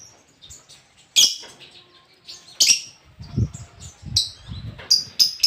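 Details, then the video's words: Lobert giving melodious song: sharp high chirps and whistled notes at irregular intervals, mixed with soft low thumping sounds in the middle of the recording. "Suara burung lobert yang sangat merdu"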